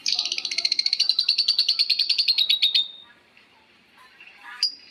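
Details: Betmen, vio and paskun lovebirds trading long ngekek chatter: a quick, insistent burst of piercing buzzy pulses lasting nearly three seconds, then quiet background with one sharp chirp near the end.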